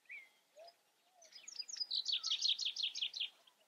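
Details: :Common chaffinch singing: a few soft introductory notes, then a bright, fast series of descending trilled phrases that ends in a quick flourish, about two seconds long.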